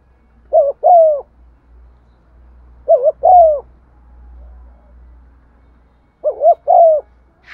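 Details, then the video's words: Lure spotted dove cooing in 'giọng son' voice to stimulate other doves; three phrases of two quick coos and a longer falling coo, spaced about three seconds apart, over a steady low hum. "Tiếng chim cu gáy mồi thúc gù bài bản giọng son"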